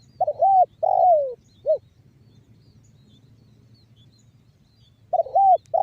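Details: Spotted dove lure call of the banggo bocor type, used to get other doves calling: a stuttered coo, a long falling coo and a short final note, then a pause before the phrase starts again.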